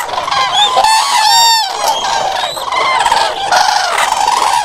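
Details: Common crane calls: several loud, rolling trumpeting notes overlapping in a dense chorus, with bright harmonic tones that swell and dip, plus a rich rattling layer underneath and no other clear sounds.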